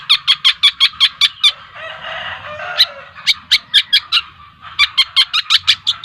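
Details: Juvenile long-tailed shrike, two months old, a Lampung trotol bird, rattling off quick harsh chips in runs, a blurred chattering warble in the middle, then the rapid chip series resumes.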